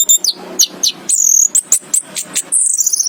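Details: Brief, very high chirping from an orange-headed thrush (anis kembang): thin, squeaky notes and short whistled slides, several sustained, piercing tones toward the end.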